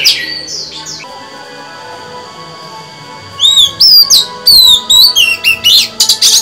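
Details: Female white-rumped shama singing to stimulate males: after about three seconds of near silence with faint whistles, a burst of loud, high whistled notes, rising and falling sweeps and sharp chirps in quick succession.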